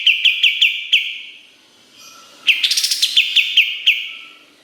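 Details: Kapas tembak giving its sharp, rapid song for training songbirds: quick high clicks, a pause, then a dense bright flourish followed by more evenly spaced piercing notes.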